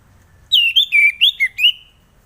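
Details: Orange-headed thrush singing, a recording meant to coax birds that are reluctant to sing: a rapid run of six clear whistled notes, starting high and dropping, with warbled ups and downs, in a quiet setting.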